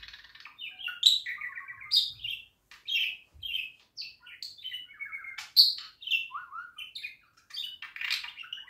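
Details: Budgerigar song meant for other budgies to hear: a steady warble, a fast chattering run of high chirps, buzzy nasal notes and clicks, varied and nearly unbroken throughout.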